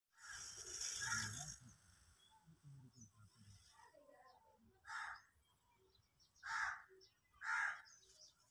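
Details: An Indian peafowl (peacock) during a courtship dance display with its train fanned gives loud, nasal, wailing calls, three in the last four seconds about a second apart, after an opening burst of harsh rustling noise.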